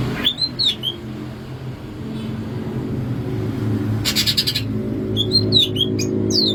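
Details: Greater green leafbird of Alas Purwo, Banyuwangi, Indonesia, bebeciu song: short whistled slurs, a dense buzzy rattle midway, then more quick whistled and rising notes, with constant low engine-like rumble beneath.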